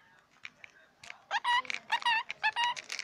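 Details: A male scaly-breasted lorikeet, talking and swearing over his toy, gives a rapid burst of nasal, voice-like syllables, several a second, that rise and fall in pitch after a quiet start.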